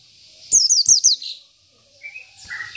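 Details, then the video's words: Oriental white-eye, local 'isian' singer meant to rile rival birds, gives a short run of four quick, high, falling chips, then a pause and a few faint lower whistles. "PLECI BIKIN EMOSI LAWAN || Pleci Lokal || Pleci Isian"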